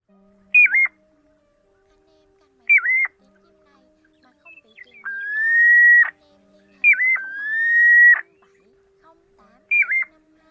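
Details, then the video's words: Pacific golden plover calls used as a lure for night net trapping of migrating birds, August 2024: short clean whistles with a dipping, wavering shape alternating with longer steady whistles held about a second, spaced irregularly with silent gaps. "Tiếng Choi Choi Chân Vàng Bẫy Lưới Đêm Chim Di Cư"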